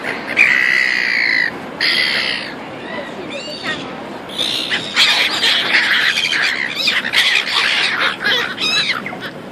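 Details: A noisy flock of seagulls in Auckland, New Zealand, opening with two loud harsh squawks, then a dense jumble of rapid overlapping cries and chatter.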